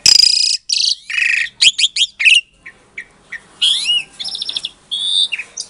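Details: Captive-bred Asian pied starling from Klaten, Indonesia, recorded February 2022, its song used as a lure to provoke silent starlings into answering: loud, rapid bursts of harsh chattering notes mixed with clear rising and falling whistles, with brief pauses between phrases.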